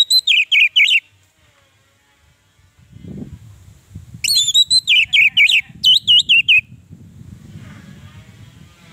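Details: Orange-headed thrush, played as a lure and training call to coax captive birds that are stuck or reluctant to sing: bursts of rapid, high whistled notes in quick warbling phrases, separated by pauses, with a low background rumble between them.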